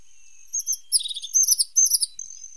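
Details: Quick series of very high, sweet twittering phrases and slurred whistles with a faint thin tone between, sung by a pointed, or sharp-nosed, tit.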